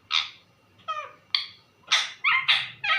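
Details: Parrot kept as a pet, calling mummy: a rapid series of about seven short, harsh, yelping calls, irregular at first, then bunched close together near the end, in a quiet room.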